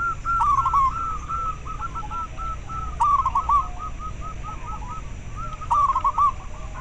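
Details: Local zebra dove (perkutut) call, used to arouse breeding drive in captive birds and for luring; rolling strings of rapid cooing notes repeated in overlapping phrases, louder bursts recurring about every three seconds against a constant low hum.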